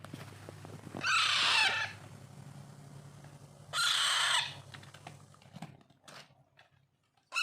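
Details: Unweaned Alexandrine parakeet chicks hand-fed, uttering two loud, grating screeches about three seconds apart over a steady low hum, with scattered clicks and the start of another cry.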